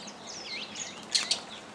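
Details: At a lodge feeder at Lake Elementaita, Kenya, Fischer's Lovebirds, many of them hybrids with Yellow-collared Lovebirds, make high, squeaky, sweeping chirps that rise and fall, followed by two sharp clicks.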